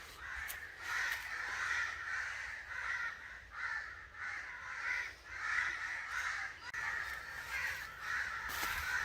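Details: Angry crow calling: a near-continuous stream of grating caws, pulsing in waves of loudness for several seconds.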